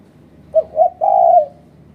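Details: One low, mellow spotted dove phrase played to lure birds for trapping in Malaysia: two brief coos followed by a longer, steady coo.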